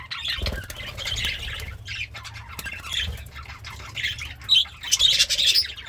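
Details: Pet budgerigar, described as happy and eating greens, gives scratchy warbling chatter with short squawky notes in bursts, plus low background hum.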